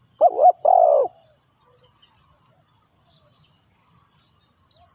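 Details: Decoy spotted dove kept for trapping wild doves, uttering a single phrase: two short, hollow notes and then a longer, slurred coo. After that there is quiet, with constant shrill insect buzzing behind.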